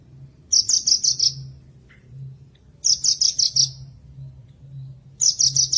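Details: Javan bush lark tutor song: three bursts of about six fast, piercing, buzzy notes, roughly two seconds apart, with a faint low hum in the gaps.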